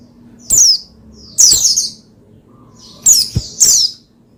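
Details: Oriental white-eye (pleci) singing to encourage another bird to sing: a few high, thin downward-sliding chirps spaced about a second apart, then a quick pair near the end.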